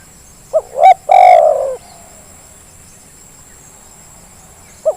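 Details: Calling spotted dove used as a lure for reluctant birds: two brief rising notes and one long, slightly falling, purring coo, then a quiet stretch ending with a single short coo.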